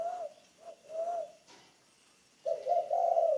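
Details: Spotted dove, a decoy bird in training, with a few short coo notes followed after a pause by a louder, rolling, throaty coo phrase.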